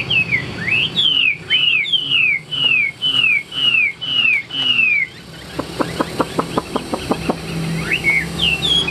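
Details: A tame caged hwamei sings a series of clear, loud downslurred whistles repeated about twice a second, followed by a rapid burst of dry clicking taps and a few softer whistles over a low hum.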